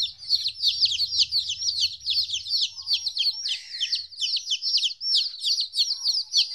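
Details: Chicks 14 days old, separated from their mother for the first time, peep continuously in a dense chorus of high, downslurred chirps overlapping almost without pause; a faint low rumble sounds during the first seconds.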